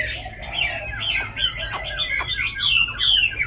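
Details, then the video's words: Tame caged Chinese hwamei from Hanoi, Vietnam, singing: a continuous run of loud, varied warbled phrases that rise and fall, with quick slurred notes and a few sharp clicks. A steady low hum sits underneath. "Mi thuần cb9106 sáng đẹp hót tốt"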